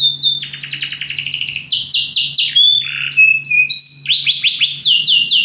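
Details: Belgian canary with a very powerful song: an even chain of fast trilled notes, swooping slurs and clear whistles, over a faint steady low hum.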